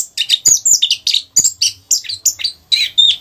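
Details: A caged orange-headed thrush pours out a fast, varied "rock n roll" song of high, sweet and scratchy notes, several short phrases each second with barely a pause, over a faint low hum.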